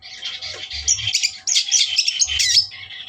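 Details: Provoking song of a long-tailed shrike: an unbroken, dense, scratchy warble of harsh squeaks and chatter with barely a break, and a faint hum in the background.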